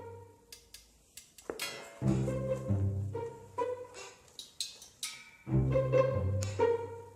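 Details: Plucked and bowed string music with sharp accents and pauses fills the recording, with no animal calls audible.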